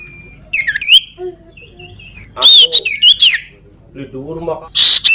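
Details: Common iora with a crippled leg, singing actively: a sequence of clear, high whistled notes, some rising and some wavering, given in short bursts with brief pauses and a few harsher chirps between them; quiet background.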